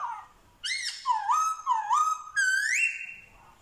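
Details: Vietnamese Black-throated laughingthrush mimicking dogs, cats and chickens: a low whistle, then looping swooping notes that dip and rise, ending in a long rising slide held on a steady high tone.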